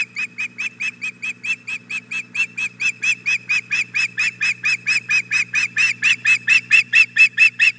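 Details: Female osprey at a nest at Hog Island Boathouse on the morning of 4 May 2017, begging after the male arrives with a fish. Loud, sharp whistled chirps repeat steadily about twice a second over a low background hum.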